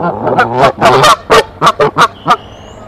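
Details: Decorah mother goose sounding the alarm from the nest on 27 March 2023 to bring the male: rough, overlapping honks at first, then a handful of separate, clipped honks spaced a quarter second apart.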